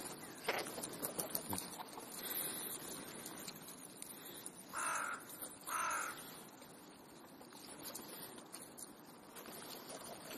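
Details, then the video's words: Crows at an ordinary afternoon gathering in Clara Zetkin Park, Leipzig, Germany: two harsh caws near the middle, over a constant murmur of distant crows and background noise. "Krähen-Vesper / Crow Vespers"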